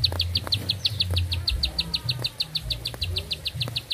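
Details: Bar-winged prinia in full, lively song delivered in one long breath: a steady run of short, bright, high chipping notes, about seven per second, continuing evenly throughout, over low rumbling background noise.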